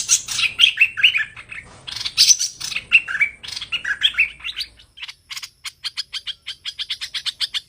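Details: Trapping-lure song of a Chinese hwamei: bright, looping whistled phrases rising and dropping for about five seconds, followed by a quick, regular train of crisp high notes.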